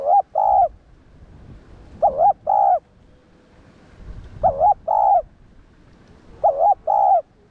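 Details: Spotted dove, called cu đất locally, cooing to stir up other doves: four paired phrases, each a wobbling coo followed by a level coo, spaced about two seconds apart.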